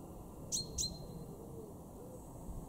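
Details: A single pair of bright, sharply falling call notes from a male common chaffinch in a garden in Weener, northwest Germany, March 2023, the second note trailing into a brief thin tone.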